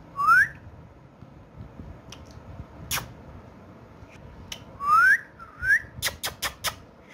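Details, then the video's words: Pet talking parrot producing three clear rising whistles, at the start and near five and six seconds, with sharp clicks or taps near three and six seconds and little else in a quiet setting. "So Funny And So Playful Talking Parrot"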